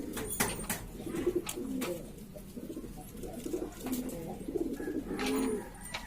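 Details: Several domestic pigeons, mixed breeds from Lombok, coo in short low bursts amid sharp taps and wing rustles, ending with a brighter, warbling coo near the close.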